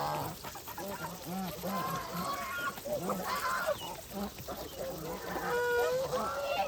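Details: Geese on a farm during feeding, a flock calling almost continuously with short, overlapping nasal honks and a few higher rising notes, creating a busy, chattering chorus.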